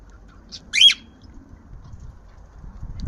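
A male cockatiel gives a brief, harsh squawk blended with a bright whistled note while courting.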